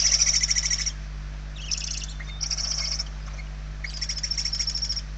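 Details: Hungry barn owl chicks begging inside a nest in Spain, 28 November 2023: harsh, pulsed hissing bursts, one long rasp at the start followed by shorter and longer bouts with low steady hum between them.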